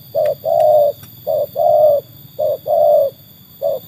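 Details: Trained spotted dove giving clear, loud paired coos, a short note then a long steady one, repeated three times and starting a fourth, with a few sharp clicks early on.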